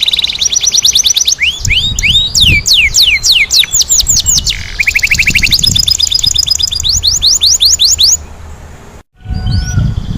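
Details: Canary in energetic 'ngerol nembak' song, with rapid cascades of swept whistles, a brief low buzzy roll, and bright repeated trills, ending in a short pause and a few scattered high notes.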